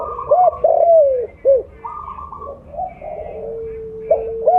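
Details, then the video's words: Spotted dove of the mottled 'blorok' type calling loudly for luring: a short coo, a long downward-sliding coo and a clipped note, then pauses filled by other doves cooing and a faint held tone. "Terukur blorok gacor suara besar cocok untuk pancingan bunyi"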